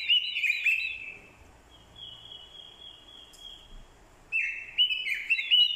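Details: Orange-headed thrush, a decoy bird, giving fighting song set off by a female's call. Loud warbled, slurred whistles open the clip. A long, thin, level whistle follows, then bright rapid phrases return at the end.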